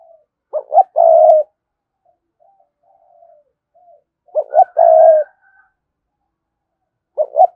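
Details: Spotted dove calling wild doves with its full cooing song. Two low phrases, each with two short rising notes and a long steady coo, are about 3.5 seconds apart. Soft coos lie between them, and a third phrase starts at the end.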